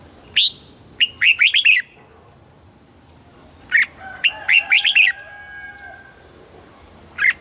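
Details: Song of a red-whiskered bulbul for stimulating caged birds: cheerful warbled phrases of one lead note and four or five quick whistles, given twice, then a single isolated note near the end; faint low hum behind.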